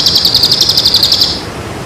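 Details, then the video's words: Bird training song for birds in moult and after moult: one rapid, high, buzzy trill of evenly pulsed notes, held about a second and a half, then fading. Faint background hiss. "masteran Burung istimewa.Cocok untuk Burung Mabung.&Pasca Mabung"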